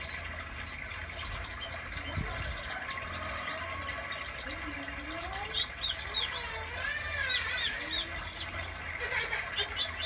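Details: Sunbird known as kolibri dada merah, giving quick, thin, high chirps in small bursts while a lower, wavering whistled sound slides up and down in the background.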